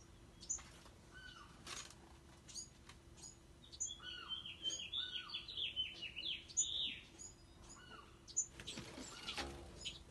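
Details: Bewick's wren fledglings giving high, thin chirps scattered through the recording, mixed with a quick descending run of brighter notes midway, a few lower downslurred notes, and a brief burst of rustling or flapping near the end.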